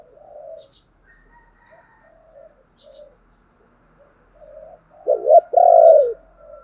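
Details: Spotted dove coo played as a lure so wild doves answer: faint low, muffled coo notes build to a loud, rasping double coo near the end, then a soft final note.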